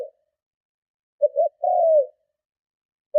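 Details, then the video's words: A single full spotted dove phrase, strong cooing to entice and provoke other doves: a short stuttered pair of notes, then a long smooth coo gliding down, with fragments at either edge. "Cu Gáy Hay - Tiếng Chim Cu Gáy Gù Kích Bổi Cực Mạnh"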